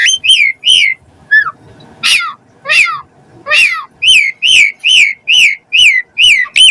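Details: Lively Asian pied starling song with varied fill-in phrases, meant to prompt captive starlings to sing: a string of short, down-curving whistled notes repeated fast and steadily, after a few scattered higher squeaks.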